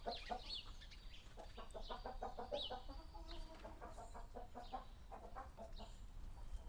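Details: Small village chicken coop atmosphere via Sony PCM D100 and Sennheiser ME66: steady, rapid clucking from the flock throughout, mixed with scattered high chirps of small birds and a low background hum.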